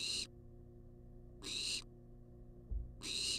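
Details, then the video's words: Live cam of a wild barn owl demanding food in a nest box, loud broad hissing screeches about one and a half seconds apart, with a brief low thump between calls and background hum. "Barn Owl Demands Food"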